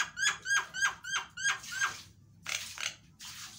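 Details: Javan myna, loud lure song to prompt a silent myna to sing: six rhythmic, ringing, nasal notes repeated about every third of a second, then rougher, hoarse bursts.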